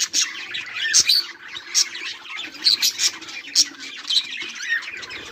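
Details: A flock of budgies on 18 July 2023 chirps busily. Sharp high tweets punctuate a constant background of soft warbling chatter.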